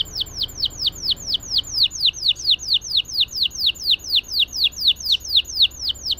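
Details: Singing canary, played to prompt quiet canaries to sing: a rolling series of descending slurred whistles repeated about three times per second, steady and rhythmic, with faint low background hum.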